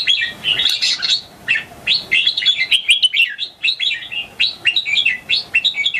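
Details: A youthful red-whiskered bulbul answers rival bulbuls with a rapid, continuous run of clear, melodious whistled notes, the phrases tumbling up and down.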